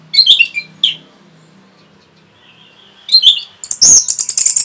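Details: Orange-headed thrush giving a rapid song to provoke other birds: sharp chirps, a long gap with a low hum behind, then dense high, shrill, fast-repeated notes that finish loudly.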